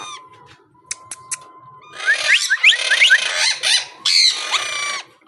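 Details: Monk parakeet kept as a talking pet: a faint steady whistle and a few sharp clicks, then a burst of harsh, rasping, speech-like squawks with quick rising notes over the last three seconds.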